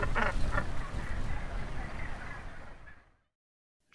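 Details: Northern gannet in the Orkney Islands, Scotland: harsh, grating calls in quick bursts over a dense, low clamour, dying away to silence after three seconds.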